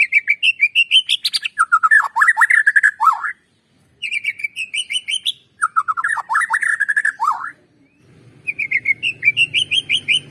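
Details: White-rumped shama song used as a lure to get other birds singing: fast phrases of sweet whistles and chattering trills, high clear notes dropping into lower warbled runs, in three bursts separated by short pauses, with faint low rumble near the end.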